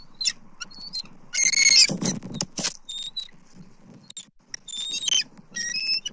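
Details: Male and female bald eagles at a nest in Southwest Florida, October 29, 2024, with the male making several food deliveries; loud, rapid, high chittering calls with ringing overtones, mixed with thin piping whistles and some rustling.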